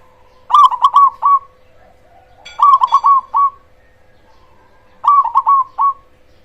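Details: Cemani zebra dove, a bird with a loud voice, singing a lure song meant to provoke and excite other zebra doves. Three bursts of four to five quick rolling coos near one pitch come about every two seconds over a steady faint hum.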